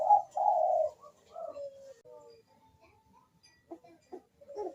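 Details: Barbary dove cooing, played to encourage doves that are slow to sing: two loud low coos open, then softer trailing notes and faint scattered clicks.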